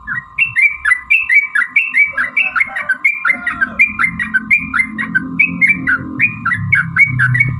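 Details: Sooty-headed bulbul giving bright, slurred two-part notes repeated about twice a second, a lure recording to trigger other birds' song; a low rumbling murmur rises in the second half and a steady whine runs beneath.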